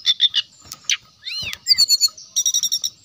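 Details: Brown-chested jungle flycatcher singing to draw rival birds into song: quick stuttered chirps, an arching slurred whistle, a descending whistled run and a closing rapid series of buzzy high notes.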